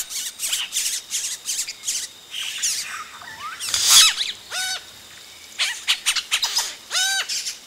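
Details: Nestling yellow-rumped caciques beg at close range while adults arrive; scratchy high chatter broken by loud stepped, harmonic calls that drop sharply in pitch, heard several times.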